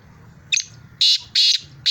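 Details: Black francolin calling in Sindh, Pakistan: a short rasping note followed by three loud, harsh, grating bursts, each lasting about a fifth of a second, over a faint low hum.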